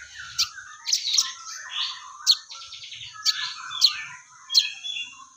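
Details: Crested jay, known locally as sogon, singing in full voice with a repertoire described as fighting-sparrow material: sharp high chirps and squeaky chatter, with about seven loud, piercing chips spread through the passage.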